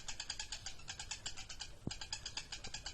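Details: Ngekek-style lovebird chatter: quick, raspy, evenly spaced pulses trilling continuously, with one brief low thump partway through.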